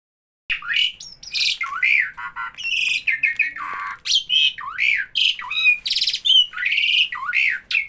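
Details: Starling that always calls whenever people are around: loud, harsh squawks and chattering notes with rising and falling slurs, tumbling over one another almost without pause after a brief silent start.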